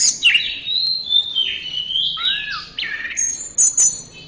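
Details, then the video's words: Orange-headed thrush (anis merah) delivering a continuous flowing song of slurred whistles, a low swooping note midway, then a few high thin notes; recording used to train caged songbirds. "Masteran Suara Burung Anis Merah"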